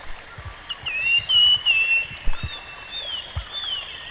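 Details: Rusty-fronted barwing singing in the wild: clear whistled notes wavering up and down, one long level whistle in the middle, with soft low knocks and rustling beneath.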